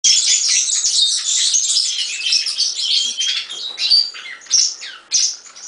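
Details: European serin singing: a fast, dense jingle of high, buzzy, tinkling notes that runs for several seconds, then breaks into separate sharp chirps and short trills near the end.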